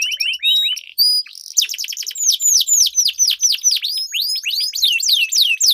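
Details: Canaries duelling in song as a lure for a bird that has stopped singing. Short rising chirps and flat whistles lead into a run of bright downslurred notes.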